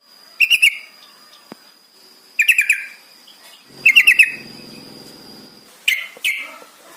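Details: Yellow-vented bulbul song used as a lure to get captive birds singing: three short bubbly chattering bursts of rapid notes, then two looser phrases near the end, over a faint steady high electronic tone.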